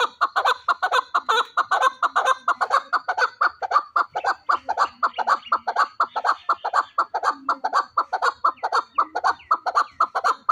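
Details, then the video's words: Fighting chukar partridge calling in a long run of rasping, clucking notes about twice a second, somewhat uneven in spacing, continuous for over ten seconds and dominating the recording. "Кабки ҷангӣ"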